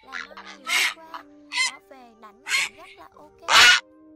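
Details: Grey heron calling the flock, an 'ét ọc ọc' style call played through two speakers to lure migrating birds into night nets, August 2024, late season; a few loud harsh rasping croaks about a second apart over a steady low hum and faint tonal chirps.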